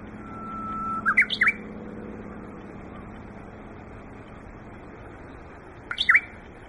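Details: Japanese bush warbler at Yokohama Nature Sanctuary in the leafy season, giving a held whistle ending in a brief warbled flourish, then a second short flourish about five seconds later over low rumbling traffic-like background noise.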